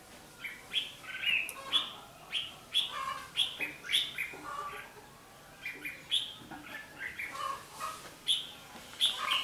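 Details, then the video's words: Fighting song of red-whiskered bulbuls at a decoy trap, 11 January 2016: short, clear whistled phrases of a few chirpy notes each, repeated roughly every half second to second, with brief pauses between groups. "Bẫy đấu chim chào mào bị điên"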